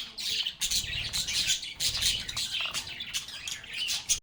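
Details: Lovebirds calling together at close range: bursts of loud, shrill chirping and chattering in quick runs, with a low rumble underneath.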